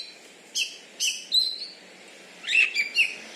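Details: Kacer, an Oriental magpie-robin contest champion from Bengkulu, Indonesia; spaced short bursts of scratchy high notes and a thin whistle, then a cluster of clear chirps near the end.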